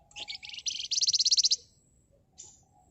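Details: Flamboyan bird in agitated, close-set nyerecet rattling, meant to provoke other birds. One accelerating, harsh, pulsed trill of over a second, ending abruptly, then a short buzzy note.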